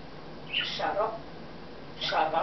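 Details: Congo African grey parrot, December '08, voicing two short speech-like phrases indoors, each opening with a high squeaky note and sliding into lower, voiced syllables, in a quiet room.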